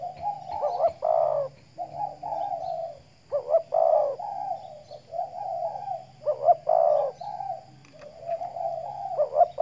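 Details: Spotted dove used as a decoy, sunned in the morning in Riau Islands, Indonesia; repeated phrases of a short rough coo followed by longer drawn-out cooing, with gaps of about a second between phrases.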